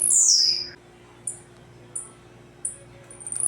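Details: Blue-black grassquit singing its tec-tec song: a loud, high buzzy note sliding steeply down, followed by three short, sharp high ticks about two-thirds of a second apart and a rising buzz at the end.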